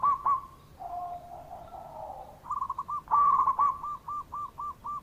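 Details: Zebra dove lure call meant to make doves that are slow to call start answering: a low purring coo leads into bright, clipped repeated notes that speed up, then about six separate hoots at an even pace.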